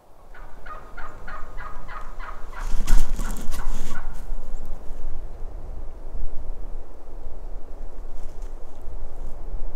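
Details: Wild turkey tom gobbling from the opposite ridge on public land in Nebraska, apparently holding a favourite spot he won't leave. A fast, rattling burst of repeated throaty notes for about three seconds, then fading; low wind rumble and rustling throughout.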